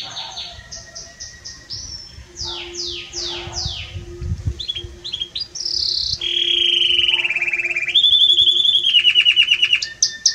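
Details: Belgian canary in strong, warm song, mixing separated descending whistles and short notes with long, rapid rolling trills that grow louder and shift in pitch, and a steady faint hum in the background.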